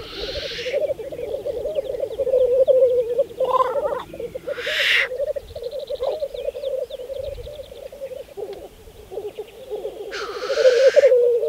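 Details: Black grouse at a spring lek on Saaremaa, Estonia, in 2014: steady low bubbling, cooing rolls run on without pause, broken by loud hissing sneeze-like bursts near the start, the middle and the end.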